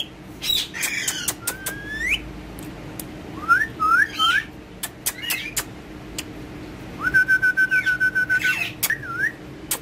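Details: Ringneck parakeet having fun and talking with a mobile phone in Urdu and Hindi: a busy run of rising whistles, harsh squawks and sharp clicks, then a long level whistled note with fast pulsing, ending in a rising slurred whistle.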